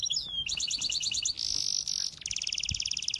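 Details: Rapid bird song: a thin falling whistle, then rows of quick high pulsed notes, a hissing buzz, and a long fast metallic trill over soft background noise.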